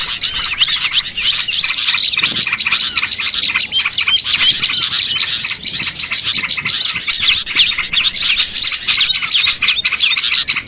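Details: Noisy gathering of small birds as a catching lure: continuous, thickly layered high chirping and squeaky trills, evenly dense across about ten seconds, no other sounds.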